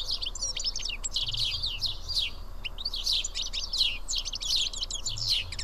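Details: House sparrows feeding as a group of seven at Karyotissa in Greece: a busy chorus of quick, high chirps in bursts, each bird's notes crowding over the others, with faint low rumble below.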